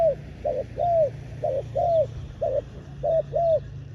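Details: Ground-set spotted dove decoy for luring wild doves, calling in a regular sequence of paired coos, a short clipped note then a longer arched croo, about four pairs; constant low rumbling background.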